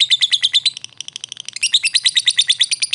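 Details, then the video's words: Lovebird fighter lure, "ngetik ngekek" style: fast, sharp, high chattering notes repeated about three times per second, briefly softer in the middle, then loud again. "lovebird ngetik ngekek pancingan ampuh Lovebird fighter"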